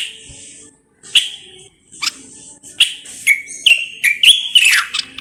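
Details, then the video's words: Moroccan common bulbul giving rich whistled song: scattered single notes at first, then a rapid run of liquid slurred whistles quickening toward the end, over a faint high hiss. "استرخاء مع تغريد طائر البلبل المغربي صوت صفير البلابل"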